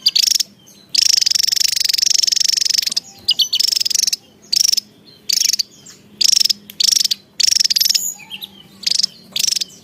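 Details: Javan tesia in lively, nonstop song: short, rapid pulsed trills, high and slightly buzzy, each lasting about half a second to a second, separated by brief pauses, over a faint low hum.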